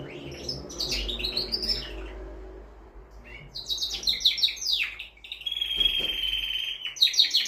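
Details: Male canary singing to excite a female for mating: high whistled notes that sweep downward, then fast buzzy trills and a long steady whistled roll, with short pauses between phrases.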